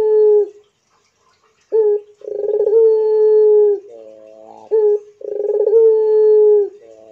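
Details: Barbary dove in pelung style, giving long drawn-out coos on a steady low pitch, each opening with a short rolled burst and held about a second, with brief softer notes between phrases.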